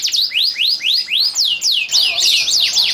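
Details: Male canary in breeding condition, from a breeding room in Klaten, Indonesia, singing to stir females. A clear series of arched, upswept whistles repeated about three times a second, becoming faster and more crowded near the end.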